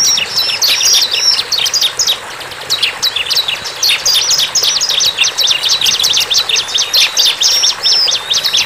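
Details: High, busy song of a wild bar-winged prinia: dense bursts of quick, clicky chirps, briefly dropping off near the second second, then resuming as a steady, excited stream of sharp notes.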